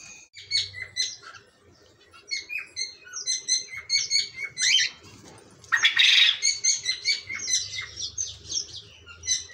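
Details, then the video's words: Cockatiels calling with repeated short chirps and harsh squawks, bright high notes stacked in bursts, a loud rasping screech near the middle, then more rapid chirping. "Coke tail parrotts"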